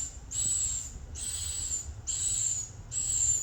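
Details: Four drawn-out, buzzy high chirps from a swiftlet, each with a thin whistled top note, spaced by short silences.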